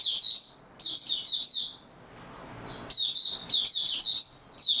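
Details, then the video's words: Oriental white-eye (Mata Puteh) singing in stable form, dated 28 February 2022: high, fast twittering phrases of slurred chips, broken by a short lull before resuming energetically. "Mata Puteh Raja Video 1 buka sing stable form 28022022"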